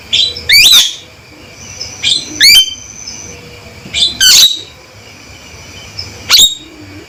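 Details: Male Javan myna with a loud, steady call: grouped shrill chirps and sweeping whistles roughly every two seconds, clear and crisp with little background noise.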